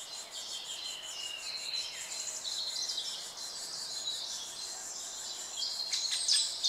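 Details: Middle spotted woodpecker nestlings in a nest in a broken-off oak beside a footpath keep up a dense, high, buzzy chatter as they beg for food while being fed mainly cockchafers.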